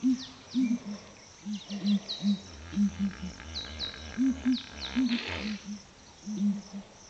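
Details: Deep hollow booms from ground hornbills at Flatdogs Camp in the morning, grouped in twos and threes, with an even lower pulsing sound underneath for a few seconds and thin bird chirps high above.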